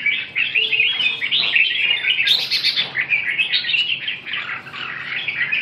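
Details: Red-whiskered bulbul song delivered as a near-continuous stream of rich, rapid warbling notes, bubbly and varied in pitch, with a brief sharper, higher flourish partway through.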